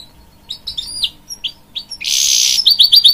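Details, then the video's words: A hybrid goldfinch sings to encourage young chicks: quick, bright twittering notes, then a burst of harsh buzzy trill followed by rapid sweet chirps. "A Hybrid Goldfinch Sings To Encourage Young Chicks"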